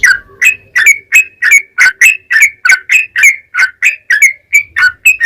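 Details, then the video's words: Yellow-vented bulbul song used as a lure to provoke other bulbuls into singing: a long, loud, rapid run of short chattering, whistled notes, about three per second, in a steady rhythm with slightly varying pitch. "SUARA TRUCUKAN GACOR ROPEL PANJANG PAncingan TRucukan Agar Bunyi JADIKAN Burung TRucuk Gacor EMOSI"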